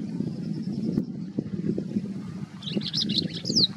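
A White-browed Wagtail gives a short burst of high, sharp chirps ending in a quick descending whistle, over a steady low rumble of traffic.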